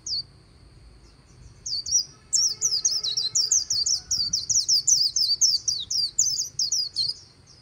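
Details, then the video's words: White-eye singing the 'líu' style song beside the Kỳ Cùng River: fast, high, twittering notes start sparsely, then run into a steady chain of quick slurred chirps, with a low hum of background noise. "VÀNH KHUYÊN HÓT LÍU/ 10 PHÚT CHIM VÀNH KHUYÊN LÍU BÊN BỜ SÔNG KỲ CÙNG RẤT HAY"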